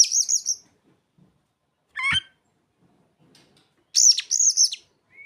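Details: Oriental magpie-robin (kacer) singing mimicked ciblek and sogon phrases: two loud high warbling bursts with a sharp descending note between them and quiet gaps.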